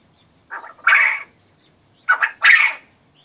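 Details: Male quail kept by its owner, which crows only rarely and proved surprisingly loud, giving two harsh, buzzy crowing bursts about a second and a half apart in an otherwise quiet room.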